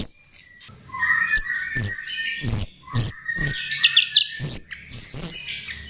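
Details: Chestnut-tailed starling (jalak rio rio) song played as a lure: varied whistled and buzzy phrases with high squeaky notes, interrupted by regular low thumping knocks.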